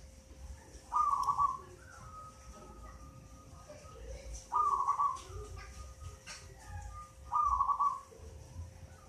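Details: Local zebra dove aged eight months, originally from a nest in a mango tree, singing keenly; three trilled, purring coo phrases roughly every three seconds, each trailing into a thin sustained tone and soft notes.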